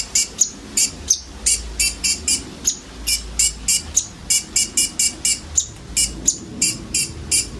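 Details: Filler song of common ioras, several birds, as a sunbird lure; harsh high chirps repeated steadily about two to three per second, each note broad and buzzy, with a faint low hum.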